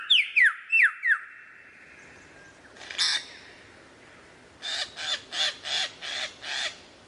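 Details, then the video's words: Lyrebird singing varied phrases: four loud, falling whistled notes in quick succession, a single rasping burst, then six harsh, nasal calls at an even pace. "suara variasi burung lyrebird"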